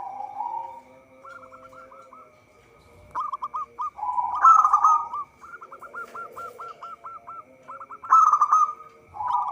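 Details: Local zebra dove in vigorous song, used as a trapping lure: a soft rolling coo opens, then rapid series of clipped, hooked notes alternate with two loud burry trilled phrases; a constant thin electronic-like hum underlies it.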